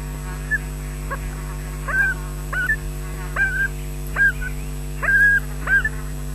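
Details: Webcam at a Loch Garten osprey nest in Scotland, 20 June 2012 at 13:24, as an adult delivers fish to chicks: irregular short whistled notes, bent and slightly rising, spaced about half a second to a second apart, against low mechanical hum.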